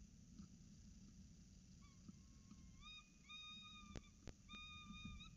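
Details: Peregrine falcons at Orange CSU, 26 October 2019, 7.07 am, as the adult female feeds the chicks after the male brings breakfast: thin, drawn-out harmonic whines that hold steady, then a run of level calls, with two sharp knocks.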